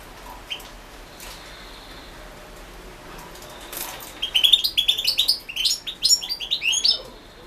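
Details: Competition recording of a European goldfinch from the 2016 internet world championship in goldfinch song. After a few isolated chirps, a rapid run of tinkling, buzzy twitters fills the last three seconds.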